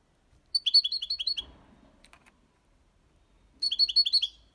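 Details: European goldfinch, six months old, in clean Malaga copy song: a series of five or six evenly spaced, sharp two-part chirps in quick rhythm, a pause with faint rustling, then the same chirp series repeated.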